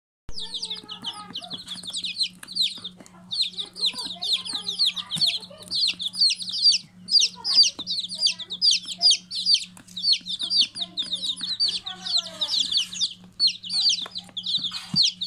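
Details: Many chicks peeping nonstop in a dense chorus of high, short, downward-slurred cheeps that overlap, several per second, over a steady low electrical hum.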